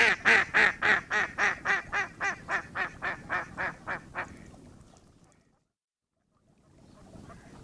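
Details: Rapid, evenly spaced nasal quacks from a duck that gradually weaken over four seconds, followed by near silence and then faint noise.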